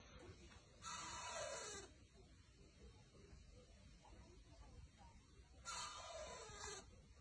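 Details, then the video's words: A baby owl on a hammock gives two long, harsh hissing screeches, each about a second, roughly five seconds apart, over a low steady background hum. "I’ve Never Heard an Owl Sound Like THIS"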